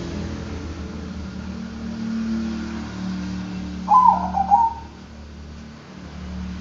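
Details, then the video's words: Zebra dove of the Bangkok type singing one short cooing phrase of quick, bubbly staccato notes that trails off, over a steady low hum. "Bikin Kutut Bangkok Ikut Manggung DENGAN VIDEO INI,Pasti GACOR NYAUT dan NGAYER"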